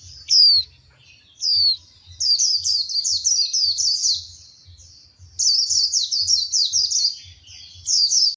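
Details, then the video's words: Female white-eye singing in an excited, fired-up state: high, rapid twittering phrases, a few sharp downslurred notes then long runs of quick repeated chirps with brief pauses, over a faint low rhythmic thumping. "Tiếng chim khuyên mái kích trống hót, kích lửa"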